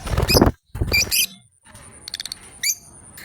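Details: Two lovebirds playing together: loud rustling and thumps, then thin high chirps, a rapid stutter of clipped ticks and a final bright squeak, with a faint constant high whine behind.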